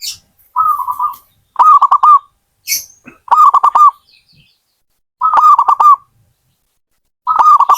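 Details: Zebra dove repeating its rolling cooing phrase five times, each a fast stutter of soft, mid-pitched notes with crisp clicking onsets, spaced one to two seconds apart; a brief high chirp appears between phrases.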